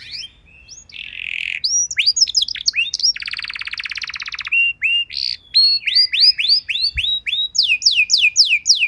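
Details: Canary song used to train other canaries to sing rich songs: varied whistles and chirps, a long buzzy rattling trill in the middle, then quick rising and falling notes repeated rapidly.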